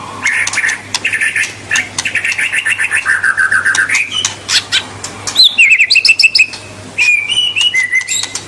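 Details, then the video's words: Song of a white-rumped shama, played to get young birds singing: long rapid trills of repeated notes, a sweeping upward whistle, then high sharp notes and fluty phrases with brief pauses; faint low hum throughout. "Kicau super murai batu bikin bakalan dan junior langsung ngentrok dan ngekek panjang"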